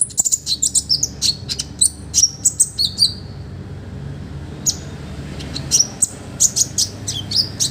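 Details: High, sharp, twittering song from an olive-backed sunbird, made as a master recording for other birds: dense clusters of quick chips, a brief pause, then renewed bursts of bright, piercing notes.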